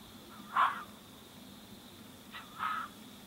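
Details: Young tawny frogmouth chick being fed by a lone parent in a suburban Melbourne back yard at Greensborough, January 2017; two short raspy squawks about two seconds apart over a steady background hum.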